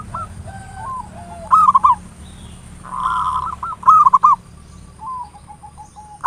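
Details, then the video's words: Local zebra dove singing a lure song in the ngayer nulop style, meant to stir other doves to sing: soft low coos, then two loud bursts of rapid rolling, bubbling notes near mid pitch, with a faint steady high hum. "Perkutut lokal PANCINGAN SUARA NGAYER NULOP ampuh merangsang cepat EMOSI BUNYI GACOR"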